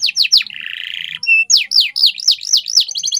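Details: Canary training song: quick falling notes, a low buzzy rattle, a short steady whistle, then looping rising-falling notes and a fine high trill.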